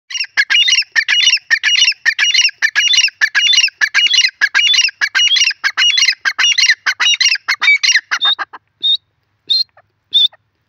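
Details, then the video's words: Francolin (teetar) giving loud, harsh, squawking calls in rapid, fairly regular bursts, about 100 per minute, for some eight seconds, then a few isolated higher, thinner notes near the end. "teeter ke awaz best teetar bird ki lovely awaaz"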